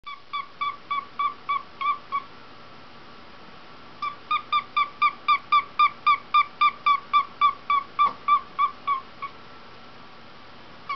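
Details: Pet cockatiel playing inside a hat, making its own sound effects; rapid, evenly spaced short whistled notes, about four a second, in runs of several seconds separated by a pause, with quiet room hum behind.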